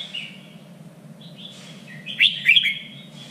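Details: Red-whiskered bulbul being trained for singing contests, three-region standard voice: soft, thin whistled notes drift at first, then a sudden loud, bright cluster of quick chirping notes, over a low continuous hum.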